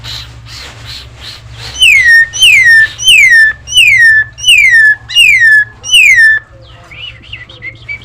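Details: Tame, actively singing Nias hill myna used as master audio to prompt other birds into song: seven loud, clear whistles, each sliding down from high to mid pitch, repeated about every 0.7 seconds, then softer warbling notes.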